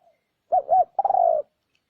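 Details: Spotted dove lure call used to draw in wild doves: two short hooped coos, then a longer, slightly falling, purring note. The phrase is given once in a quiet setting.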